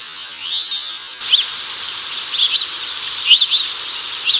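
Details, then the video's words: House sparrows in Chicago, 2024, giving short, bright chirps in loose, irregular bursts of one to three notes as a male calls a female over while they catch cicadas, over a steady high buzzing hiss. "HOUSE SPARROWS call"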